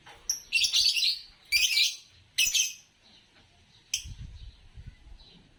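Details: Green Fischer's lovebird giving harsh, buzzy chirps in quick bursts over the first three seconds, then one sharp chirp trailing off near the fourth second, with a faint low rumble underneath.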